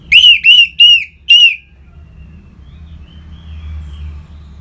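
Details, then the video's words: Orange-headed thrush singing, used to stimulate caged birds: four loud, rich whistled notes with a downward slur, spaced about a third of a second apart, then silence over a low hum. "ANIS MERAH Ngeplong Mantap Pancingan Burung Langsung Nyaut Gacor"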